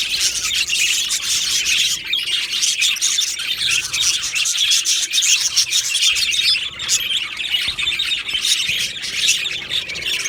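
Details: Budgerigar colony in an aviary, 15 July 2025: a dense, continuous wash of high, overlapping chirps and warbles from many birds, with no pauses across the whole stretch.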